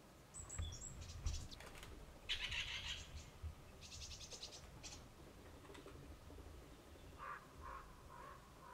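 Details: Several Common Ravens noisily calling, thought to have found a carcass left after the weekend's hunt; harsh, rasping croaks come in bursts, followed by a series of lower, hoarse notes, with rural background hiss.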